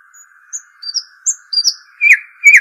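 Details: Arabian babbler: a run of thin, high whistled notes, some slurred upward, followed by two louder, rough down-slurred chirps, heard over an unbroken low hum.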